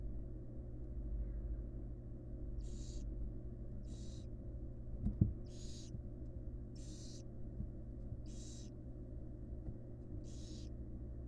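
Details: Wild barn owls in a monitored nest box, the female feeding her fledglings; after silence, six short breathy hisses follow at about 1.5-second intervals, with a soft knock midway and low hum underneath.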